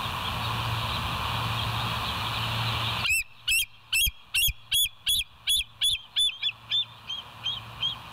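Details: Bald eagles on a live nature cam at 07:01, 26 September 2023; after three seconds of hiss and hum, a rapid chattering series of about a dozen high, piping whistled notes, gradually fading toward the end.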